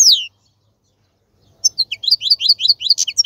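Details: A single down-slurred whistle is followed by a long pause. Then a male goldfinch breaks into a lively string of evenly repeated, tinkling chirps. The song serves as tutoring material for young goldfinches.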